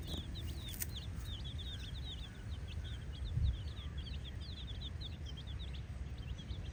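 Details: A group of colourful domestic chicks playing inside a hollow, giving continuous rapid high-pitched peeps, several birds calling at once, with heavy low background rumble throughout.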